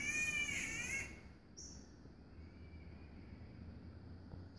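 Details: Catbird calling unseen near the treetops in Buderim Forest Park, possibly a mating call, gives one loud, wavering, cat-like wail lasting about a second, then a fainter answering note, over forest hush and low rumble.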